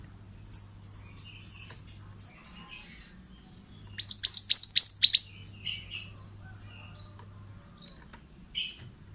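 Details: Male pied bushchat singing vigorously, a master recording for training other songbirds: soft high chips, then a loud burst of about eight sharp, downward-slurred notes in quick succession, followed by scattered thin notes over a faint low hum.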